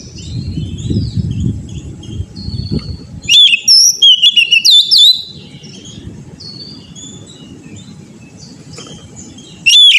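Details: Untrained Oriental magpie-robin used for singing training: a loud two-second string of bright, slurred whistles and rapid chips, followed by a long stretch of low murmur, with a final sharp whistle at the end.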